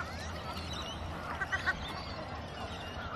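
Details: Australian wood ducks squabbling in the Melbourne suburbs, Victoria, Australia: three short, nasal, mewing calls in quick succession over a steady low rumbling background.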